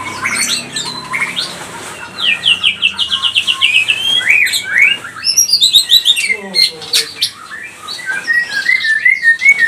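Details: Provoking song of a white-rumped shama: a rich, varied stream of clear whistles, rapid repeated downslurred notes in fast series, chattering trills and high sweeps, loud and continuous, with a faint voice in the background.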